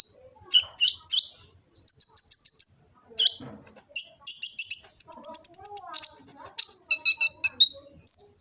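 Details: Kolibri ninja sunbird singing in Gresik, East Java, phone-recorded as training song for captive birds: a busy run of high, thin chirps, quick trilled series and short buzzy notes, tumbling without pause.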